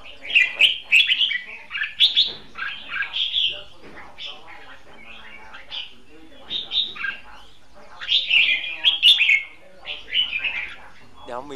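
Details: Red-whiskered bulbul held as a decoy bird for trapping, singing fighting song in a steady series of bubbling, whistled phrases, some faint human voices behind it.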